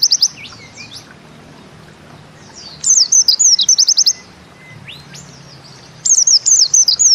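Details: Bustomi-type pleci, a white-eye, singing in the 'nembak ziperrr' style: scattered soft whistles, then phrases of high zig-zag slurred notes tumbling quickly together, separated by quiet stretches.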